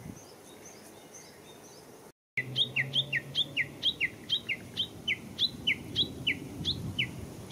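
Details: Japanese bush warbler at Showa Kinen Park on 10 April 2021, giving a long run of sharp two-part chirps that drop from high to lower pitch, about three or four each second after a brief gap; low background rumble.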